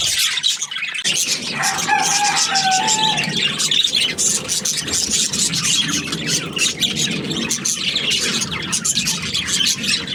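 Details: Happy budgerigars chirping in a busy, continuous chatter of high scratchy notes and warbles, with a brief lower whistled tone near the start.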